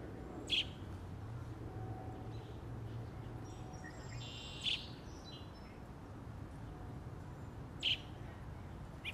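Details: American robin; begging call; fledgling calling for its parent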